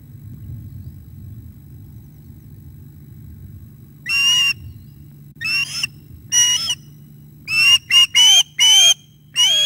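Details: Osprey at the nest during a fish delivery and a young bird attacking the adult male, 11:37 am on 9 August 2021. After four quiet seconds, a run of about eight sharp, whistled, downward-slurring chirps comes in short, uneven bursts.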